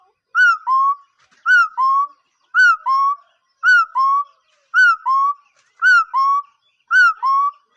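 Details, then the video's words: Repeated two-note bird call in a very steady rhythm, seven phrases in under eight seconds. Each begins with a falling, arched whistle, followed by a lower whistle that slides upward. Pure, ringing tone with no background noise. "เสียงนกขอ.,suab noog yij liab quaj zoo heev"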